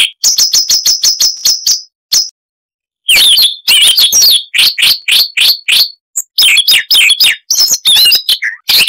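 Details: Siberian rubythroat, a small insect-eating songbird, opening with a fast string of sharp repeated chips, pausing, then continuing with varied chattering whistles and buzzy slurred notes, noise reduced.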